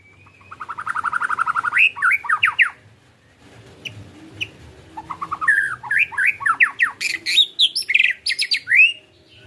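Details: White-rumped shama singing, a recording meant to stimulate a caged bird: a rapid trill of repeated notes rising in pitch, then sweeping whistles, a pause, and a further burst of varied fast notes.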